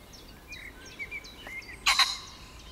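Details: Agitated common pheasant crowing in bushes on 29 June 2020: one loud, harsh, abrupt double burst near the end, preceded by thin, high songbird whistles and chirps in the background.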